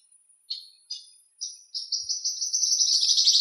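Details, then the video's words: Western rock nuthatch singing in Greek nature: three separate short notes with gaps, then a fast trill of repeated high notes that grows steadily louder toward the end. "Βραχοτσοπανάκος Κελάηδημα? - Western Rock Nuthatch Song?"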